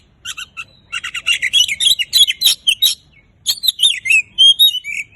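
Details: Oriental magpie-robin song, a prolific singing bird. A fast, varied song of clear whistled notes, sharp chips and slurred rising and falling phrases, delivered in dense bursts, with a short pause midway before the phrases resume.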